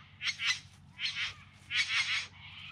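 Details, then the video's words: Bowerbird in courtship display, filmed in September 2020 in the Yarra Valley just outside Melbourne: three loud, harsh, buzzy bursts spread over a couple of seconds, the first two close together, against a quiet low hum. "Bowerbirds Singing and Dancing"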